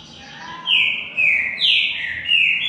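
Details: A Green-winged saltator, known locally as pixarro or tempera-viola, competing in a song duel: a soft lead-in, then four loud descending whistles in quick succession.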